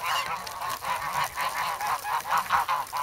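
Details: Several geese in snow at Sloterpark, Amsterdam, on 3 February, hungry for bread; evenly spaced, slightly hoarse honks repeat rapidly, a little softer and more distant.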